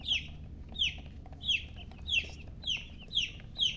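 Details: Domestic hen chicks chirping clearly: loud, piercing, downward-sliding peeps repeated about every half second, six or seven in a row, against a quiet background.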